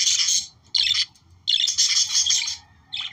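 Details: Short bursts of budgerigar chatter, meant to encourage breeding: three or four scratchy, twittering phrases separated by short silences.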